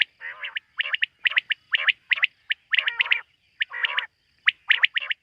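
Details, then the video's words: Quail calling at night, in a quail-hunting context: grouped crisp whistled notes alternate with harsher, rasping calls, roughly one burst per second, over a faint continuous tone. "Bater ki rat wali awaz ۔۔quail sound of night"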